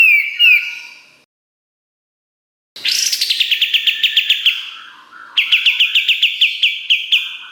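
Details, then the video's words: Kapas tembak song recorded as master material for training competition songbirds: a clear whistled phrase near the start, a pause, then rapid bright repeated chips in fast trilled bursts, about two per second, delivered loudly. "Masteran Kapas Tembak Gacor Nembak Isian Tajam Full"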